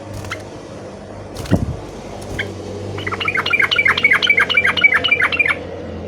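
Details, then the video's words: Yellow-vented bulbul singing to call a rival: after a few seconds of low hum and faint scattered chirps comes a quick run of about ten bright, bubbly notes, chattered evenly for over two seconds over a steady low background drone. "KICAU SUARA trucukan gacor MEMANGGIL MUSUH"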